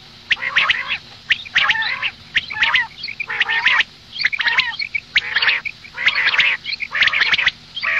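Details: Female common quail calling for morning: dense, harsh, nasal bursts with strong harmonics, spaced roughly a second apart, mixed with short high chips.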